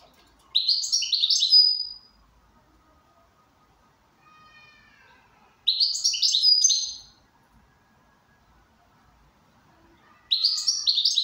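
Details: Goldfinch in good condition repeating a high, jangling twittered phrase three times about every five seconds, with faint soft whistles audible during the pauses.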